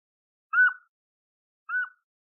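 A Canada jay gives two soft, mid-pitched whistled notes about a second apart, each sliding down at the end, against a quiet background.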